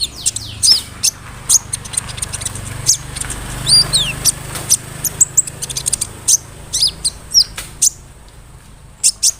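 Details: Big-bodied brown-throated sunbird in energetic lure song: scattered high, sharp chirps and occasional quick upslurs over a low rumbling background.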